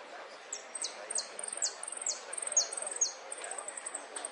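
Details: Jilguero, or saffron finch, delivering a golpes, pitadas y prio style song: a rapid run of sharp, high, downslurred whistles at a steady pace, then a fast, high chattering trill, over a quiet hiss.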